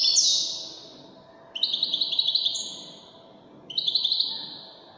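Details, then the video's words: European goldfinch, known as Widani goldfinch: a sharp, falling buzzy note, then two phrases of quick, high, jingling twitters about two seconds apart. "تغريد طائر الحسون الويداني"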